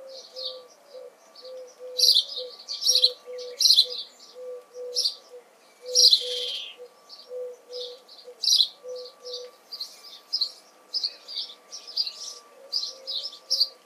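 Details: House sparrow in June chirping persistently, bursts of harsh chip notes in quick irregular series, over a backdrop of soft repeated low cooing and a faint hum.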